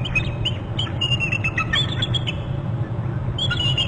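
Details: Female bald eagle calling near its nest on Hornby Island, picked up by a nest and territory camera while two eagles chase an intruding eagle away. Thin, high piping chirps come in quick stuttering bursts over a steady low rumble.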